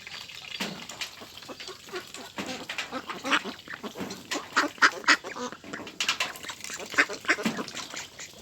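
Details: Farmed ducks raised for meat in large numbers on a rice field farm, a dense flock quacking together in overlapping harsh, nasal bursts, some louder calls standing out near the middle and end.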